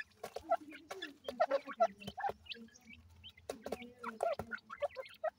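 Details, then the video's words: Partridge chicks being fed desi feed call with short, mid-pitched clucks at an irregular pace over sharp pecking clicks, then fall briefly quiet before calling again. "pheasant bird baby, partridge baby desi feed"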